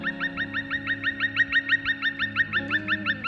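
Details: Black woodpecker in snowy forest, flushed when approached, gives its mocking cry before flying off: a fast run of sharp, downslurred 'kwee' notes, about five or six a second, over steady background music.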